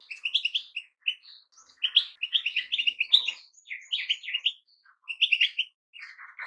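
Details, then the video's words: Goldfinch song: a fast, tinkling stream of bright twittered notes and short trills, broken by brief pauses, with no other clear sounds. "Goldfinches - amazing song"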